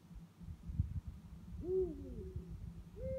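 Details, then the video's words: Two Eurasian eagle-owls calling after dark: a clear rising-and-falling hoot, then a second hoot begins near the end, with low rumbling noise throughout. "Uhus Rufen in der Nacht"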